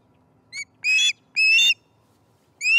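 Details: At feeding time on the nest, 18 September 2019, an osprey utters four high whistled calls in under three seconds, a short thin note followed by longer, fuller squeals.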